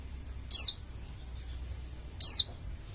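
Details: Bali-type oriental white-eye, a prolific singer used to get other white-eyes singing: two bright, high whistles falling sharply in pitch, about one and a half seconds apart, over a quiet low hum.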